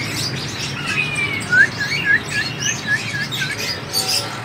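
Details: Sunbird twittering with a run of short, sharp chirps and upslurred notes, repeated several times a second over a steady low background hum.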